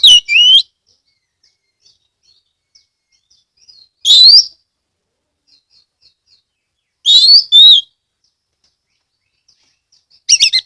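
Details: Singing Oriental magpie-robin (kacer) from Kebumen, Central Java, Indonesia, played to prompt other magpie-robins to sing; four brief loud bursts of high whistled and chirpy notes spaced about three seconds apart, near-silence between.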